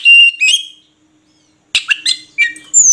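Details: Oriental magpie-robin phrases: clear whistled notes near the start, a pause of about a second, then a burst of sharp chirps and whistles, ending on a high sustained whistle.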